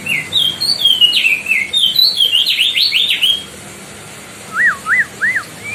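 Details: Decu Timor, or White-bellied bushchat from the Lesser Sundas, giving a loud song for tutoring other birds: a fast cascade of slurred whistles and trills, a pause, then three separate looping whistled notes.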